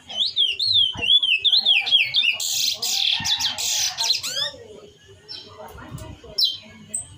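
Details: Curió, or chestnut-bellied seed finch, in mateiro-style song meant to excite another bird; a rapid run of wavering whistled notes gives way to harsh buzzy bursts, then fades to sparse short notes.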